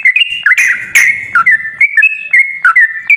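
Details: Lure song of a sooty-headed bulbul for a reluctant singer: short clear whistles alternating between higher and lower notes, roughly evenly spaced, with a couple of loud clicking bursts near the start.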